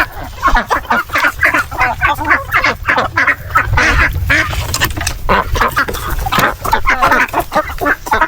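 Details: Peking ducks on a farm calling loudly while being fed, preferring banana to their feed; harsh quacks repeated rapidly in a steady stream, several birds overlapping, with some background noise.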